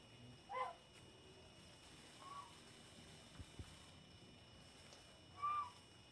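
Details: A large young Bangkok rooster, said to have won six times, gives three brief, harsh, mid-pitched calls spaced a few seconds apart over quiet background hiss.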